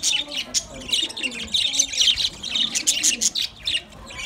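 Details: Budgerigars speaking to each other with busy, bright chirps and short squeaky notes in quick uneven bursts, and a faint low warble beneath.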